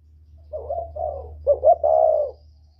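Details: Whistle-voiced northern spotted dove calling to stir wild doves: two or three soft, wavering coos, then two sharp clipped notes and a long steady closing coo, over a faint low hum.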